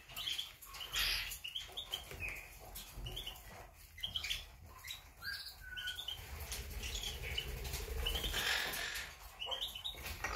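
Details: Monk parakeets calling, 8 September 2020: a busy stream of raspy, scratchy squawks and chirps from several birds at once, with bursts of rustling or wing noise.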